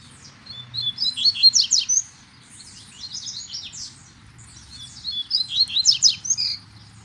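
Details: Two Double-collared Seedeaters in Brazilian woodland, apparently between two territories, trade bright, rapid twittering phrases. One sings close by and steadily, and the other sings farther back and more strongly.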